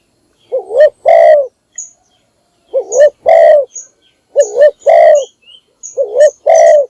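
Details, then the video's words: Decoy spotted dove's morning call for luring other doves. Four regular phrases, each a wavering double coo then a long rolling coo, with thin high chirps from small birds scattered between. "นกพิราบดัง birds - เสียงนกร้องตอนเช้าเพื่อเรียกนกของคุณ"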